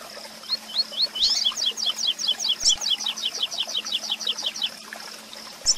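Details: Double-collared seedeater in the 'tui tui zel zel' song style for song-contest training. Delivers a long, fast series of about twenty high, repeated slurred notes that builds and fades, over a constant thin high tone and faint low hum.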